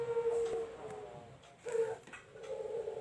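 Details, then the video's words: Collared dove cooing: three low, soft, steady hooting notes, the first long, with short gaps between them, over a faint background hiss. "suara burung puter manggung"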